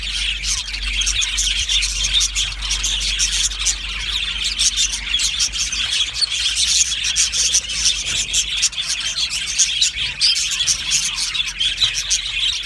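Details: Budgerigars chirping happily in an aviary, a long unbroken high flock chatter of twitters and squeaks over a faint low hum.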